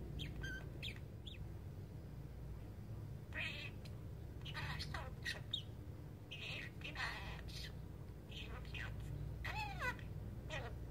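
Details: A pet talking budgerigar sleep-talks, muttering soft, squeaky, speech-like phrases and chirps in short bursts over a low hum, including a laugh and the words "I am sleepy".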